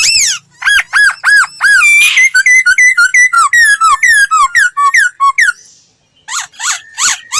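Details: Voice-training song of a laughingthrush: series of clear, downward-sweeping whistles delivered rapidly and steadily, a brief pause, then a few sharp repeated notes.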